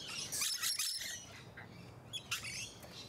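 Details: Musk lorikeets in Sydney's Hunters Hill, Australia, early December 2020: a tumbling cluster of piercing, buzzy shrieks, then quieter scattered squeaks.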